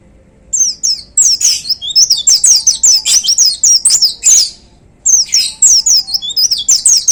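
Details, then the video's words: Hung-up caged white-eye in full 'tembakan' bursts: dense strings of piercing high whistled notes sweeping downward, a short break near the middle, then another quick volley of chirps. "Suara Tembakan Dahsyat Pleci Gacor Paling Digemari Para Plecimania Digantangan"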